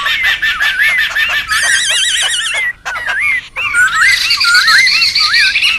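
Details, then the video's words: A wild laughingthrush group calling noisily, used as a lure and tutor recording: rapid repeated notes, wavering trilled whistles, then a short pause before more looping whistles and chatter. "SUARA PIKAT DAN MASTERAN SEMUA BURUNG POKSAY RIBUT ALAM LIAR"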